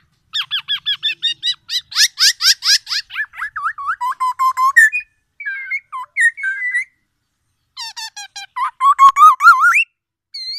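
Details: A tame black-naped oriole sings loudly and energetically. A fast series of upswept whistles is followed by lower slurred notes, a pause, then more rapid notes ending in a rising whistle.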